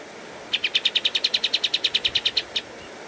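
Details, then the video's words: Pied triller, known as kapas tembak, in a master song for training caged birds: one even two-second burst of about twenty bright high chips delivered in quick regular rhythm, then a single trailing note. "Masteran Kapas Tembak Gacor Terbaik 2022"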